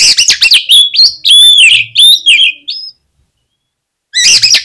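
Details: Magpie-robin singing as a provoking lure: a dense, rapid phrase of bright whistles and ringing notes, a silent gap, then another loud burst begins.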